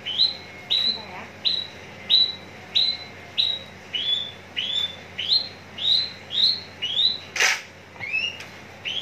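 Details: Javan bush lark prepared for hanging contests, Cikupa, Tangerang, giving a steady series of sharp rising whistled notes about every two-thirds of a second, with one loud broadband knock midway.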